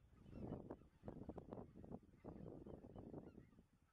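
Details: Chorus of Greater white-fronted geese under a spring moon on 25 March 2013 in the Dannenberger Marsch, Germany; many overlapping nasal honks and yelps rising and falling in loud bursts, with background low-frequency noise.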